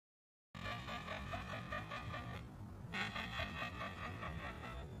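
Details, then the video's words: Woolly-necked stork (Ciconia episcopus) calling and singing: rough, rattling bursts of rapid clicks, pausing briefly before another run, over a steady low rumble. "Woolly necked stork (Ciconia episcopus) sound - call and song"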